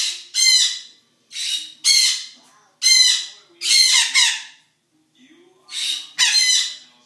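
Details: Morning at a zoo, where noisy birds let out grating, raspy squawks. Six or so bursts come in quick succession, then a pause, then two more.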